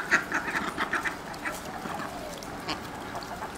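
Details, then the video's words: Neighbour's ducks, which come to a person's door every morning and call, give a quick run of short, nasal quacks in the first second, then scattered softer calls over a steady background hiss. "the neighbor's ducks come to this person's door and call"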